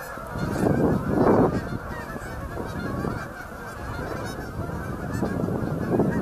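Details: Canada geese by the hundreds on Boegel Pond in late November 2012, honking together in a thick, unbroken din. Louder surges of honks come around the first and third seconds and at the close.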